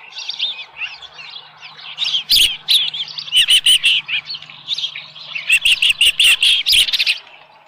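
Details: Osprey at a ranch nest with a small live fish, 13 July 2018, about 7:10 AM: high whistled chirps in rapid repeated series. Sharp broadband knocks come at intervals.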